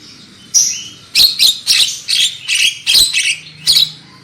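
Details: Black-winged myna song on a lure recording intended to make birds sing loudly: one whistled note, then loud, buzzy, squawking notes in a quick, steady series, with a faint hum underneath.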